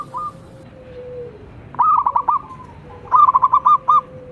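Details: Local zebra dove from Indonesia singing as a lure for captive doves: two brief bursts of rapid, rolling mid-pitched notes separated by a pause, with a soft low drawn-out tone in the background.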